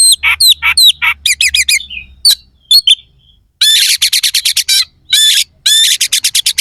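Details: Oriental magpie-robin sings rough, aggressive fill-ins: rapid series of harsh rasping notes, a few thin whistles, then long dense rattling bursts of repeated scratchy notes, intended to make rival birds emotional.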